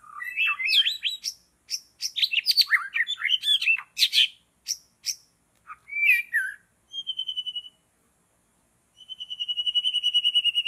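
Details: White-rumped shama, long-tailed type, singing in forest during bird trapping: rapid varied run of rich whistled and chirping phrases swooping up and down, then long steady pure whistled tones repeated after a pause.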